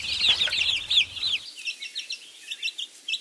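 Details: Chicken chicks peeping: a run of high, shrill, slightly rising cheeps, loud at first over a low background murmur, then quieter, quick repeated peeps about three per second.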